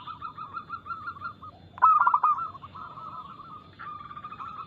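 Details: Zebra dove of a local type, described as singing eagerly with quick notes and a loud, crystal-clear voice, used as a lure. Steady soft cooing, then one loud trilled coo burst near two seconds, then more low cooing.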